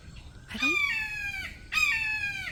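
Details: A wild, shy red-shouldered hawk calls from just above a captive hawk's pen, unseen but sounding very close: two loud, harsh, down-slurred 'kee-ah' screams about a second apart, gull-like, with a brief low human sound at the start.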